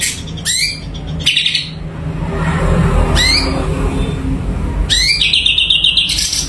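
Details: Cucak cungko, a caged blue-winged leafbird, in energetic song: a few steep upward-sweeping whistles spaced by pauses, ending in a rapid buzzy trill, over low droning noise.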